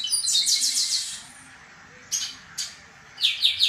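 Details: Chestnut-capped blackbirds disputing in song; a rapid buzzy trill of repeated notes for about a second, then two brief sharp notes and a final burst of three quick buzzy notes, over a quiet background.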